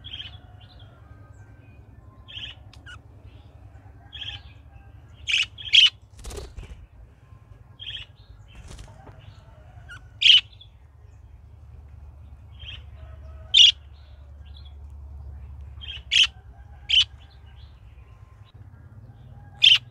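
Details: A budgerigar gives short, sharp chirps at irregular intervals over a faint low hum.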